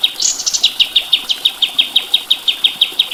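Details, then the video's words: White-eye (kapas tembak) in a masteran tutor recording: a fast, even series of sharp high chips, about three per second, each note dipping slightly, opening with a brief higher twitter; faint background hiss. "Masteran Burung Kapas Tembak"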